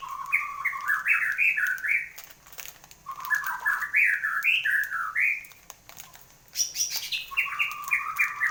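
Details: Post-moult song of a caged white-rumped shama: three loud bursts of rich, bouncing whistled phrases stepping up and down, the last opening with a high sharp note, with light clicking between phrases.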